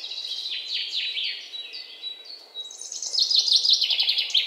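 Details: Birds at a garden feeder, feeding on the table: overlapping high twittering chirps and downslurred whistles, growing into a busier chatter toward the end.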